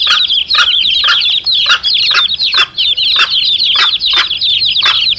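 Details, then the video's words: Chicks and their mother hen, sound used to attract wild male junglefowl: shrill, rapid overlapping peeps in a continuous stream, punctuated by sharper broad bursts roughly twice a second. "SUARA ANAK AYAM DAN INDUK NYA"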